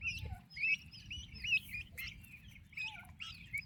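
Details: Turkey chicks with their mother, healthy and active young birds: thin high peeping chirps, short slurred notes repeated irregularly about once a second, several chicks overlapping, with steady low rumbling background noise.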